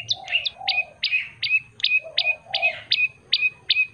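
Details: Yellow-bellied prinia calling actively with loud, abrupt chirps that drop in pitch, about three per second, mixed with soft low murmuring sounds.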